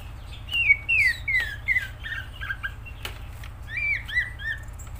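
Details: Greater green leafbird, called cucak ijo, in vigorous song. A string of descending slurred whistles, about one each half second, gives way to softer twittering, then a final cluster of bright whistled notes.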